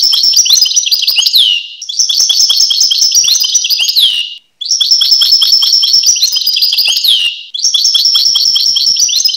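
A European goldfinch sings long, rapid, tinkling phrases of twittering notes and liquid trills, broken by brief pauses.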